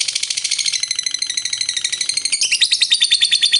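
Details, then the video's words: High, fast lovebird ngekek chatter, a trilling song prized for provoking rival lovebirds; the buzzy pulses run continuously and shift slightly in pitch partway through, then carry on, rapid and harsh. "Suara Burung Lovebird Ngekek Panjang Pintar Naikkan Emosi"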